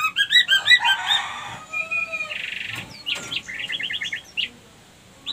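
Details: Lure song of a female white-rumped shama, played to stir other females into mating condition; fast bright repeated chirps, a rough buzzy patch, then a short rhythmic series of clipped notes.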